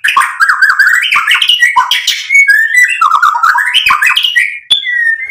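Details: Murai batu, the white-rumped shama, in a lure song to provoke and excite: fast, dense mimicking chatter of rising and falling whistles and harsh notes, ending in a few clear whistles.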